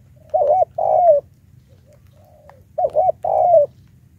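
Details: Spotted dove lure call used for trapping wild doves: a soft mellow coo phrase of a short double note followed by a longer drawn-out falling coo, given twice with a quiet pause between.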